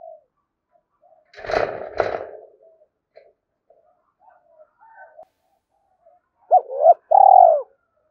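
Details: Spotted dove cooing: a loud scraping, rustling noise is heard first, then after a pause one clear two-part coo, a quick short note followed by a longer rounded, mellow one.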